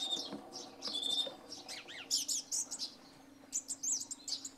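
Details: Song thrush singing in the early morning after night rain: short whistled and trilled phrases, some descending notes repeated twice near the middle, with sparrows chirping throughout and a steady low hum.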